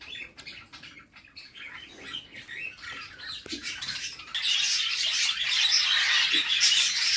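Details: Budgerigar chicks in a nest box being fed by their mother; soft scattered chirps for four seconds, then a sudden loud, continuous raspy hissing chatter of begging fills the rest.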